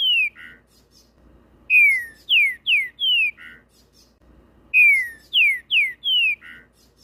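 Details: Trinca-ferro, or green-winged saltator, called fibrado, delivering two complete song phrases after a trailing ending. Each phrase has four strong slurred whistles falling in pitch, then a lower rough double note, with a clean, quiet background.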